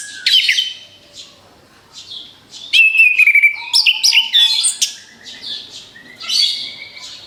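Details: Orange-headed thrush song for luring other birds: scattered high chirps, then a loud run of sustained whistles and squeaky slurred notes, ending in quieter high phrases.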